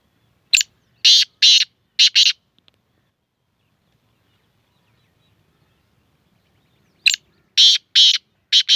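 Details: Black francolin: a harsh, grating phrase of about five short, scratchy bursts given within two seconds, then about four seconds of near silence, and the phrase repeats. The background is quiet.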